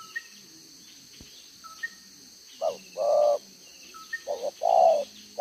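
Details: Spotted dove used as a decoy bird in Vietnam, cooing in the 'đồng gáy 1 hậu' style, with a two-row spotted neck collar, recorded 11/6/2023. Two low, hoarse coo phrases come after a quiet start, with faint thin chirps from other birds.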